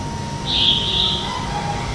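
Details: A red-whiskered bulbul gives morning song, offered as a lure to train and provoke competitive singing in other bulbuls. One bright whistled phrase lasts about half a second, with a steady low hum and a faint tonal drone in the background.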